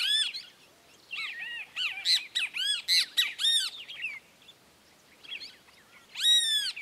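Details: Feeding Red-crested cardinal in Esperanza, Santa Fe province, Argentina, 2022, taking sunflower seeds from the plant stalk; bursts of arched, harmonic chip calls, several rapid clusters with quiet gaps between.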